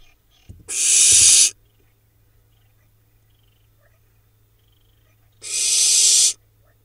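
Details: Late-brood barn owl nestlings, four surviving of five hatched, in a Hula Valley nest box, Israel, July 2021. A short thump, then a rough hiss, a silence of about four seconds, and a second matching hiss.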